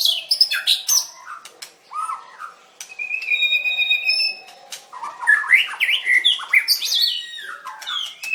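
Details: {'caption': 'White-rumped shama singing hard in a contest, 7/25/16: sharp clicks and chirps, a long steady whistled tone held about a second, then tumbling quick phrases of slurred whistles and high squeaks.'}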